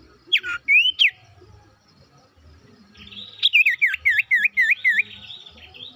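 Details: Lure sooty-headed bulbul for silent birds, singing a few sharp rising whistles, then after a pause a lively string of rapid looping notes about four per second.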